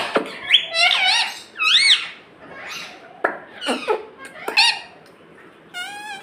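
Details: Pet green parrot said to speak the word "mummy" and "mitthu"; squeaky, harmonic voice-like notes in short bursts with rising and falling sweeps, a few sharp clicks, and a final buzzy, rapidly wavering note.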